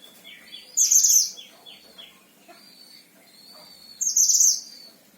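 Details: Caged Himalayan-type oriental white-eye from Central Java, Indonesia, noted for long songs, producing two loud shrill twittering bursts about three seconds apart, linked by thin sustained whistles.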